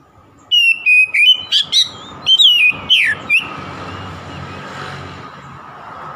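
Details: Oriental magpie-robin singing to provoke an opponent: a fast run of about ten clear whistled notes, several sliding downward, then a long stretch of soft background noise.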